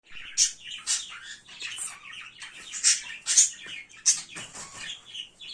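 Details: A pair of budgerigars, a female and a male newly brought in as her breeding companion, chatter in a fast, scratchy stream of high chirps and warbled squeaks.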